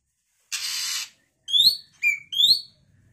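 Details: A young Oriental magpie-robin, during feeding on its first night, gives a harsh, hissing rasp, then three quick, clear whistled notes that slide upward, calling to its companions.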